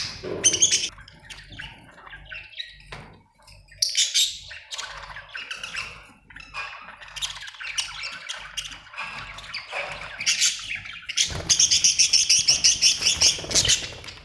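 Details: Budgerigars chirping happily: dense, busy warbling with scratchy squawks and fast chatter, many overlapping notes, a burst of rapid repeated chirps near the end.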